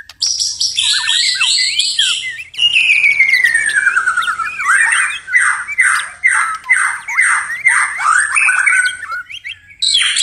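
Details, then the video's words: White-rumped shama at night delivering scratchy, high chatter, then a long falling whistle and a run of evenly repeated, swooping slurred notes, ending in another shrill burst. "murai batu tetap gacor di malam hari"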